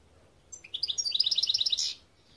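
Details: European goldfinch producing one rapid rising-then-level trill of bright, high chirped notes for about a second and a half, ending in a buzzy flourish.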